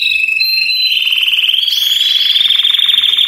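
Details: Many Belgian canaries in full song at once: a sustained whistled trill slowly rises in pitch, layered with fast pulsing rolls and faint high chips.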